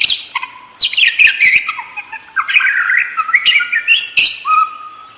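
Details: Continuous budgerigar warbling: a dense, chattering stream of buzzy, wavering notes with quick pitch slides and a few clicks, barely pausing.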